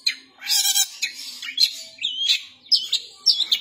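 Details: A long-tailed shrike sings in the harsh kasaran style, mixing a loud rasping chatter with wavering whistles and bright sharp chips.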